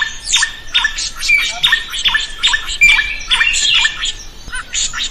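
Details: Drongo in lively, vigorous song, recorded to train other birds to sing: rapid series of harsh, buzzy notes, each ending in a short drop, repeated over two times a second, with brief bright whistles between.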